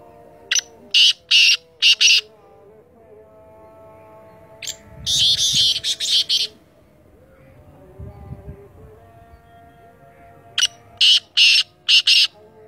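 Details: Black francolin, known locally as Sindhi teetar, giving three bursts of harsh, grating, rasping notes, each phrase four or five clipped syllables, separated by pauses, over a faint steady tonal hum.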